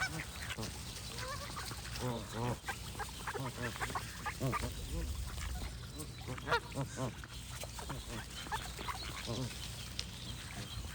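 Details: Geese calling in a busy chorus: many short, nasal, harmonic honks overlap at irregular intervals, some rising and others falling. A steady low rumble runs underneath, and faint higher bird notes are scattered through the sound.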